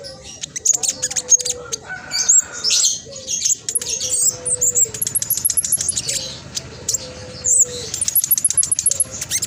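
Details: Black sunbird in energetic song, kept to prompt silent caged birds to sing: dense, very high, sharp chattering notes and rapid clicks, with brief thin whistles and faint lower drawn-out whistled tones underneath.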